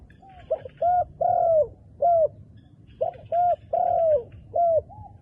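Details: Wild dove with dark plumage calling in two full phrases, each a short hoot, a second hoot and a long, gently falling coo, followed by a brief final note.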